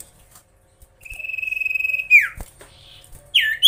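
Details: Common iora song intended to provoke rivals: a long, steady, slightly pulsing whistled note held about a second, dropping into a swooping downslur, then a short upward whistle.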